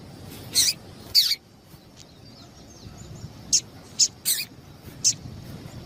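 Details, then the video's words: Female Double-collared seedeater giving short high-pitched chip calls meant to excite males into song; two stronger chips near the start, a pause, then four quicker thin notes, background soft hiss. "Piado de Fêmea de Coleiro para Esquentar Coleiro"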